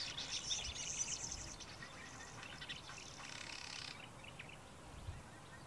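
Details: A male Southern masked weaver singing in the early morning gives a high, buzzy, sizzling chatter for about four seconds, then stops; faint outdoor background noise follows.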